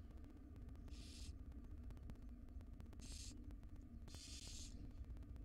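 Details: Wild barn owl nest box with a female feeding her small chicks; three rasping hiss bursts, the final one longest, spaced about two seconds apart over a continuous low hum.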